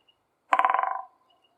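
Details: In spring in a forest, a woodpecker drums on a dry, resonant branch: a half-second roll of about a dozen rapid knocks that fades toward the end. The background is otherwise quiet.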